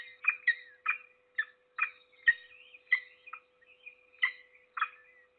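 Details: Peregrine falcon feeding its only chick at a nest in Trzebież Forest District, 7 May 2022: a run of grating, scratchy calls at uneven intervals of about half a second, with a steady faint hum beneath.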